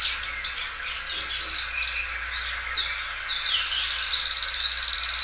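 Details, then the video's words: Belgian canary singing loudly, a well-kept songbird stretching its song again and again: quick high warbled phrases, sweeping whistled notes, then a fast rattling trill that holds steady near the end. "canário belga dobrando o canto."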